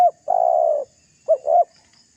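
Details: Brief burst of spotted dove lure calling aimed at rivals: one long, even, breathy coo followed by two quick hooked notes leading into the next phrase.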